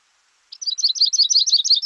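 A Yellow-rumped Warbler sings a loose, high, sweet trill of quick chipping notes, about ten a second, wavering slightly in pitch. No other sounds intrude.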